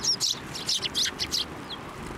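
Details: Sparrows gathering on a hand for food at a shrine, 18 March 2024; a quick burst of bright chirps in several clustered notes, then quieter with one faint high note near the end.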